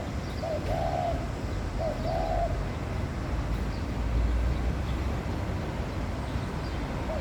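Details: Laughing dove during courtship, two soft cooing phrases near the start, each a brief note then a drawn-out one, followed by a pause and a faint start of another, against constant low background noise.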